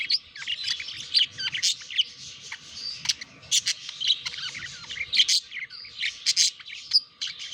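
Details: Pet budgerigars during courtship, chattering nonstop with rapid scratchy warbles, squeaks and sharp clicks, rising and falling in loudness.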